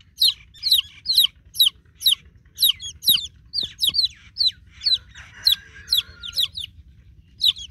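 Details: Peeping of newborn domestic chicks calling out for a broody mother hen; shrill downward-sliding notes repeated about twice a second, fairly steady, with a few soft knocks partway through.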